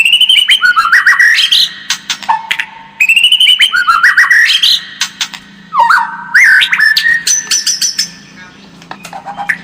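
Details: White-rumped shama song used as a lure to make the bird more combative: varied loud whistled phrases with rising slurred notes and rapid high ticks, broken by short pauses, over a faint low hum.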